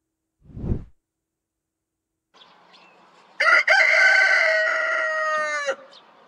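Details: Chicken (Gallus gallus domesticus): a rooster gives one loud, harsh crow lasting about two seconds, rich and slightly falling at the end, after a brief low thump.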